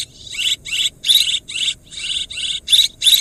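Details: Swiftlet farming lure call: evenly spaced, buzzy high chirps about three per second, several carrying a thin rising whistle.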